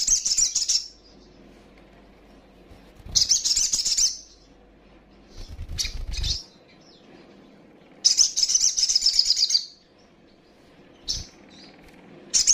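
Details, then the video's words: Young female little spiderhunter calls meant to provoke rivals. Intermittent bursts of high rapid chatter are separated by quiet gaps, with a brief low rustling or thumping noise midway. "Sogon trotolan gacor,ngobra,ngleper.paling ampuh bikin emosi lawan!"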